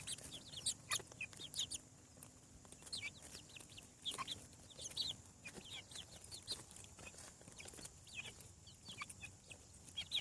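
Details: Farm chickens as chicks, freshly hatched from their eggs, call in clustered shrill peeps, each note dropping in pitch, in bursts of several with short gaps and occasional taps.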